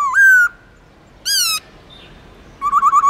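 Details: Black-throated laughingthrush song in the drawn-out forest-voice manner: a long steady whistle, a pause, a second bright held note, then a fast warbling trill of rippling notes.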